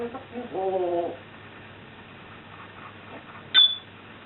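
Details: Captive pet African grey parrot that swears, burps and imitates farting: a steady, nasal, harmonic sound lasting about half a second, a long quiet pause, then one brief high whistled note.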